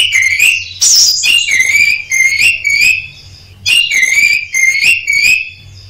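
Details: Orange-headed thrush kept as a caged songbird, singing a busy run of repeated whistled, slightly trilled notes with sharp accents, recorded for training other birds, over a faint low hum.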